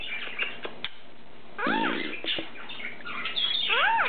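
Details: Three caged pet lineolated parakeets, cobalt, turquoise and cream; the cream male talks and growls on cue. Scattered clicks and short chirps lead into rising-and-falling harmonic vocalisations, with a soft rushing burst midway.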